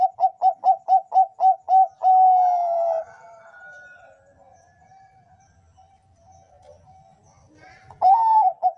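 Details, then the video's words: Kept Bangkok zebra dove singing to train a bird's voice: a fast string of short, clipped coos about four per second, then a long sustained coo, a quiet stretch with soft background rustle, and the coo series starting again. "suara perkutut bangkok"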